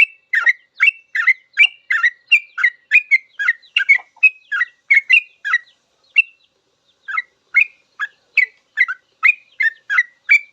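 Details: Sooty-headed bulbul singing in continuous 'ropel' style for cage-bird song training: a lively stream of loud chirping, whistled notes, about two a second, with one short gap midway before the chattering phrases resume.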